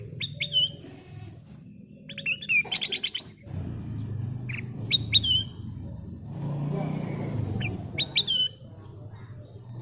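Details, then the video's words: Bulbul, locally kutilang emas, in a bird-luring recording: short bright notes, each ending in a falling slurred whistle, come in bursts with rapid stuttered chirps between them. A low rumble like passing traffic runs underneath. "Kicau Burung Kutilang Emas Gacor full isian suara pikat"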